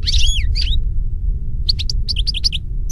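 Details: European goldfinch singing in nature, opening with a buzzy slurred phrase, then a pause and a run of rapid, evenly spaced bright chirps over a low rumble.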